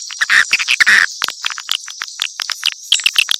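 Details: Mixed swiftlet calls: short, squeaky whistled chirps, some slightly lower and tonal, repeated quickly over a constant thin high twitter.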